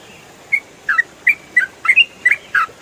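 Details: Yellow-vented bulbul known locally as trucukan, singing ropel style as songbird training material: spaced, loud whistled notes, some rising and some falling, broken by short gaps.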